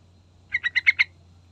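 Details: Single phrase of five quick chirps from a yellow-vented bulbul, used as a lure recording to draw a response, evenly spaced and bright, over a soft background hum.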